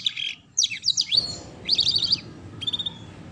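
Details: Young canary training song (kenari paud learning the ngeriwik sound): rapid high twittering trills and buzzy rattles in short bursts, with a sustained thin whistle near the end and quiet background hum.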